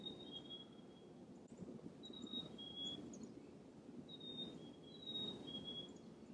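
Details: Black-capped chickadee in winter, likely a male calling its mate, whistles clear, pure high notes that step down in pitch, about every two seconds, over a steady low rumble of wind or distant traffic.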